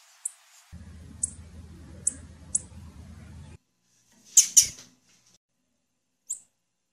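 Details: Female blue-black grassquit chipping: several single high notes over a low hum, then a louder doubled burst and one last chip after silence.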